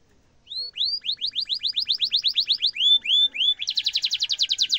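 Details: Canary with a sharp roll, used to train young canaries: rising whistled notes repeated several times a second, a few slower notes, then a dense, higher-pitched fast trill.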